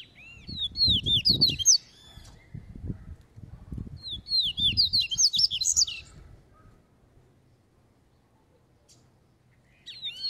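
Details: Double-collared seedeater in caveirão song training, loose: two bursts of fast, looping high whistles over repeated low thumping knocks, then a quiet spell and a new phrase starting.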